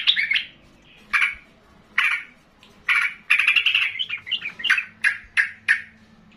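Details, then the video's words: Sooty-headed bulbul singing, provoked into excited song by another loud bulbul; short bubbly chirped phrases repeated roughly every second, several birds calling over one another. "trucukan lain jadi terpancing ikut EMOSI dengan Trucukan Gacor Keras ini"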